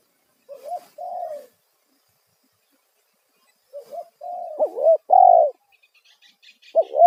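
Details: Lure call of a spotted dove to attract wild doves: a short coo pair, long silence, then a fuller phrase of rising notes and a loud falling coo, with brief high chirping near the end.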